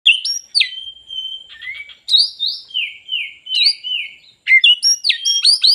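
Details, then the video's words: Oriental magpie-robin singing with its tail fully spread, a varied rich sequence of clear whistles, long level notes, falling slurs and quick chirpy flourishes in bursts. "Kacer full buka ekor"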